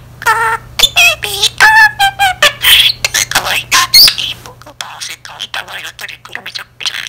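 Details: Budgerigar in a lone chattering monologue like a talkative middle-aged woman: a string of nasal, warbling, speech-like syllables with rich overtones, then softer rapid scratchy chatter, over a steady low hum.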